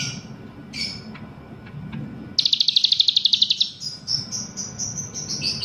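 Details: Grey-bellied bulbul singing vigorously, trained to include cicilin song: scattered high chirps, then a fast, even run of about fifteen sharp high notes, followed by short whistled phrases; low background hum throughout.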